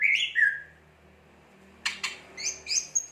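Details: Greater green leafbird in vigorous song (gacor): a couple of sliding whistled notes, a short quiet gap, then two sharp clicks and a few high thin chirps.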